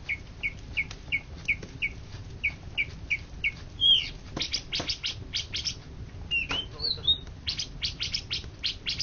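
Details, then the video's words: Greater green leafbird that won first place across Indonesia in 2013–2014 repeats a short clipped note about every quarter second, then breaks into sharp clicks and a few looping whistles. "Cucak Ijo Juara satu se Indonesia Raya 2013 2014"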